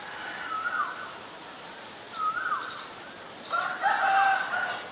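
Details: White-vented myna recorded in Ubon Ratchathani, Thailand, on 9 March 2022: three clear whistled notes, each gliding level then dropping, about one and a half seconds apart, the last one fuller and more complex, over a soft background hiss.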